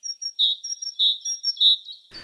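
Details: A great tit, the best-known tit in Poland, gives its very high, squeaky two-note phrases, repeated three times at a steady pace of about one every half second, before a brief rustle of noise.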